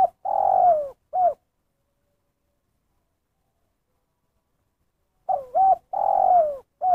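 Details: Spotted dove in 'kuk satu' style: the tail of one phrase, a long falling coo and short closing hoot, then four seconds of silence before the next phrase of double coo, long downslurred coo and final note.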